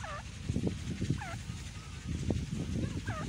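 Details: Grey francolin, called big Indian teetar, calling: looping, hooked whistled notes repeated in three phrases roughly every second and a half, over heavy low rumbling and thumping noise.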